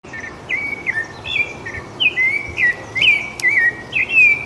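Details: Rufous-bellied thrush singing in quiet surroundings: a run of short, clear whistled notes, each sliding down or levelling off, delivered in quick succession about twice a second, with a soft hiss behind.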